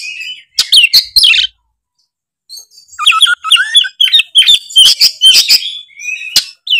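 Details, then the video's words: Oriental magpie-robin in vigorous, loud ngeplong song: a short chirping phrase, a pause, then a long string of crisp whistles and sharp chips delivered in quick succession. "suara kacer gacor full ngeplong"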